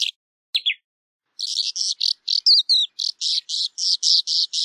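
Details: Calandra lark singing: a few sharp chirps and a descending note, a pause, then a fast run of buzzy, rasping notes with quick whistled slurs, about three notes a second, in clean quiet surroundings.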